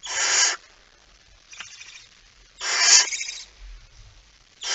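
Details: Male barn owl arriving with a mouse late on 17 September 2019: rasping, hiss-like screeches of about half a second, two to three seconds apart, with quieter hissing and low bumps between them.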